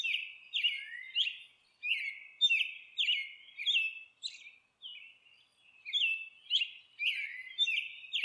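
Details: Monk parakeets at their nest give harsh, screechy squawks and chattering notes, repeated in quick irregular bursts about twice a second, with faint background noise.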